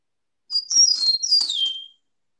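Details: Eastern Meadowlark, a grassland bird of the Northeast, sings a clear, high whistled phrase of a few slurred notes, rising then sliding down, about a second and a half long, rendered "spring of the year".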